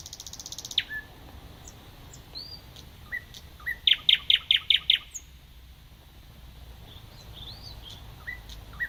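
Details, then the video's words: Thrush nightingale (Luscinia luscinia) at Sapokka, Kotka, Finland, on 31 May 2014. The recordist was unsure of the species. It sings a dry rattle, scattered whistles and upslurs, then a loud run of six hard, evenly spaced notes, over faint hiss. "Satakieli, Nightingale"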